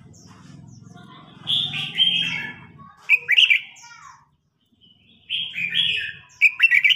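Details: Red-whiskered bulbuls in a singing contest, an old wild bird challenging a fired-up young one: bright warbled phrases with sharp rising and falling notes, three bursts spaced by pauses, over a low rumbling hum early on.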